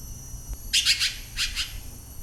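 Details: Red-billed Blue Magpie at Nam Nao National Park, Phetchabun Province, Thailand, a species with a range of calls and a good mimic of other birds: a quick run of four harsh, raspy, broadband notes, then two more after a brief pause.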